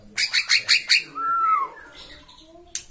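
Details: Agitated white-rumped shama from Borneo facing a rival: five harsh, scratchy notes in quick succession, then a clear whistled note that rises and falls, followed by a short sharp burst.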